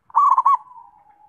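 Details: Zebra dove coo: three rapid rolling pulses that trail off into a soft, steady fading tone.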